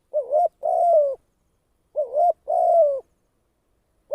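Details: Spotted dove kept as a decoy for trapping, two clean cooing phrases, each a rising wavy note followed by a longer flat coo that falls slightly, against a quiet background.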